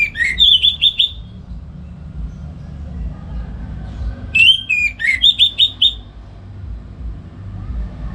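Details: Orange-headed thrush kept at home in Singaraja, Bali, singing in the morning for tutoring other birds: two phrases of a rising whistle followed by three or four quick bright repeated notes, separated by quiet background hum.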